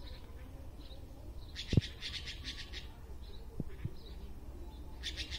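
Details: A red-billed blue magpie in a tree gives quick series of harsh, raspy chattering notes in two short bursts, over a steady low rumble with a few knocks.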